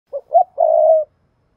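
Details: Spotted dove giving a stimulating coo meant to prompt other doves to call: two short low hoots, then one long, steady, mellow coo lasting about half a second, all at the same low pitch, with a quiet background.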